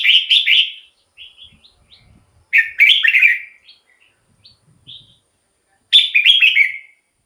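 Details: Red-whiskered bulbul singing, a recording for luring wild birds or getting caged ones excited: three rich, quick bubbling phrases about three seconds apart, with scattered soft single notes in the gaps.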